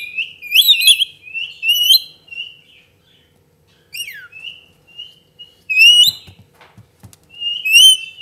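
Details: Pet lorikeet chirping and whistling in bursts: ringing upslurred notes, short trills and one long descending slide, with gaps of silence and a few soft clicks or taps near the end.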